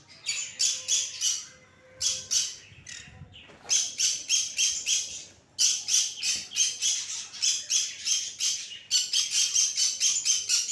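Budgerigars give rapid, harsh squawking chirps in quick bursts, several notes each second.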